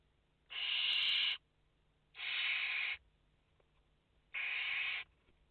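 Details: Barn owl chicks, five together in a nest, filmed live on 29 August 2021, give three loud, rasping hiss-like bursts of nearly a second each over a quiet background.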